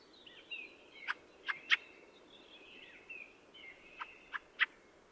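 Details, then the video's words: Fieldfare in full song: continuous squeaky, creaky chattering warble punctuated by sharp harsh chack notes, three in the first two seconds and three more in the final second and a half. "The song of the Fieldfare"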